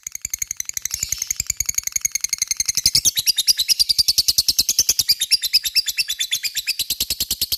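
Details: Long ngekek song of a lovebird, used to prompt answers from other lovebirds: quick, shrill, buzzing chirps that grow louder after a few seconds and continue in a fast, steady run.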